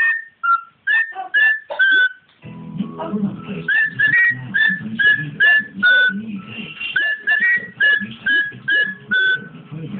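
A cockatiel whistles a choppy run of clear, bending notes, with a low background hum throughout.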